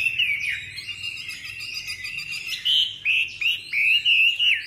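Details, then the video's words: Caged Chinese hwamei, a tame bird kept for song, giving loud whistled phrases of rising and falling notes, ending in a run of repeated slurred whistles, with a faint low hum behind. "MI THUẦN VÍP, CHƠI CÁNH ĐẸP NHƯ TRANH"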